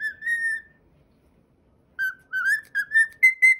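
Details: A pet cockatiel whistles its own original song: a long steady whistled note, a pause of over a second, then a run of short whistled notes climbing slightly in pitch, about two per second, in a quiet room.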